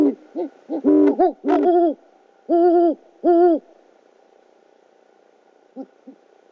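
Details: Oklahoma City great horned owl nest, evening of 12 February 2013: as the male hands a rodent to his mate, quick hoarse notes give way to two long steady calls, then near silence with two faint notes.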